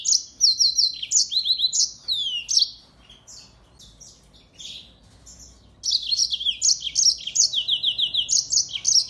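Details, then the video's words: Yellow-fronted canary singing energetically as a tutor bird for white-eyes: high, fast chirping phrases with repeated downslurred notes, a quiet pause of about three seconds, then another burst of rapid twitters. "Burung MOZAMBIK Gacor!!! Cocok banget buat isian Pleci"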